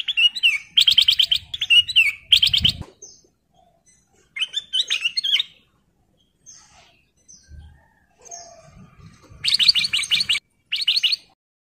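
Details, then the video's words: Male sooty-headed bulbul, in breeding condition and calling a female, delivers lively strings of rapid chirps and wavering whistled phrases in several bursts, with faint thumps and brief quiet stretches between them. "KUTLANG EMAS GACOR MEMANGGIL BETINA"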